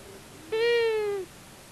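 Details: Long-eared owl, part of a male and female pair visiting a common buzzard nest watched by a solar-powered nest camera in Tiszavasvári, Hungary, on March 23, 2022: one drawn-out nasal, harmonic-rich wail, level then gently falling, lasting under a second.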